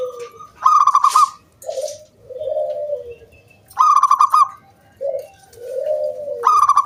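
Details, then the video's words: Lure song of a local zebra dove, crisp kung bulat style: three loud, rattling trilled bursts about every three seconds, each trailed by gliding, lower cooing notes; little background noise. "BURUNG PERKUTUT GACOR MANGGUNG"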